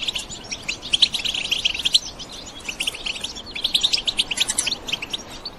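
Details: Wild European goldfinches in open countryside give trills and calls, meant to stimulate other goldfinches to sing: dense, rapid twittering of bright, high chirps in two bursts with a short, quieter gap between them.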